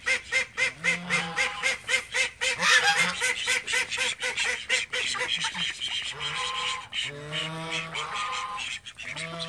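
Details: Thirteen call ducks kept at home calling together: fast overlapping quacks early on, then longer nasal, harmonic honking calls, with a constant background hum.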